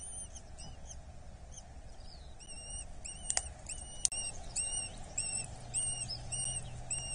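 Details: Being fed at a Dorset nest on 8 July 2024, a Eurasian hobby chick gives short, high, slightly rising-and-falling whistles, about one and a half per second, against low droning background noise and a couple of sharp clicks.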